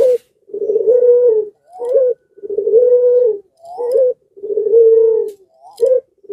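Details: Puter dove in breeding condition, its calling drawing in nearby doves: a regular pattern of long, level, deep coos each followed by a short rising throaty note, about every two seconds.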